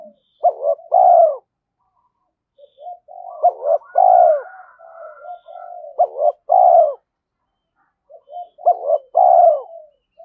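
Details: Caged decoy spotted dove in daily lure training, giving fighting and calling coos: three phrases, each a quick stuttered pair and a loud downward-sliding coo, with soft low coos between them and clear gaps.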